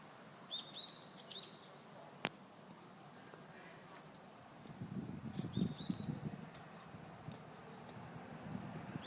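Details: Bird whose call is likened to Crayon Shin-chan background music: a quick run of high, thin whistled notes near the start, then a second short rising phrase around six seconds, over a steady low rumble and outdoor noise.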